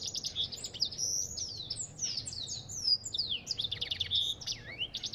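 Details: Dense, fast African goldfinch warble: tumbling high twitters, sliding whistles and a clear sustained note, almost without pause over a low hum.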